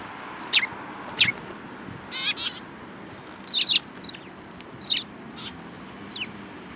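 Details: Eurasian tree sparrows, among them a yellow-beaked bird, on 7 March 2018: crisp single chirps, a buzzy doubled note, then more downslurred chirps at uneven intervals over light background noise.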